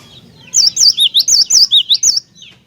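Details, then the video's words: A cinereous tit sings hard, a recording intended to stir other tits into singing: eight clear, bright whistles in quick succession, each sliding up and down, over a quiet background. "Kicauan Glatik Batu Gacor Ini"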